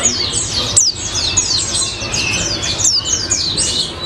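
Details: A white-eye singing in an active, wild style likened to a hummingbird gives a continuous, very high, rapid twittering of thin sweeping notes tumbling over one another without pause, against faint low background noise.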